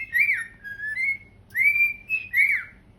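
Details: Two pet cockatiels on a couch, singing: a downward-slurred whistle, a flat low note, then a long rising whistle and a higher sharp note ending in a falling glide, quiet hum behind.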